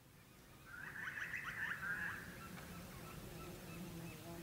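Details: In the Australian bush of Carnarvon Gorge National Park, Queensland, a grey butcherbird gives a quick, rich burst of mid-pitched warbled and piping notes lasting about a second and a half, then fainter notes over a low background rumble.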